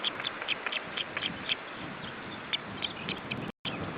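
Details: An osprey gives an alarm call in July 2012: a run of sharp, high whistled notes, several each second, then looser bursts, over steady wind-like rushing.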